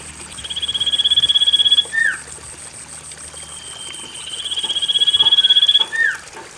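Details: Common iora, used as a lure song to prompt reluctant caged birds to sing: two long, rapid trills held at one high pitch, each ending in a quick downward-sweeping whistle, with a steady hiss of trickling water behind.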